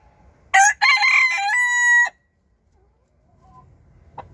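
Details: A Cochin rooster gives one full crow: a brief opening note, a harsh broken middle, then a long level drawn-out ending, about 1.5 seconds in all, followed by quiet with faint distant clucks.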